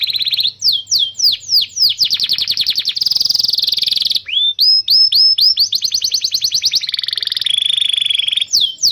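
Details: Canary training song for young birds and those that stopped singing: repeated falling whistles, buzzy rapid trills, a brief pause, then more swooping notes and even trills.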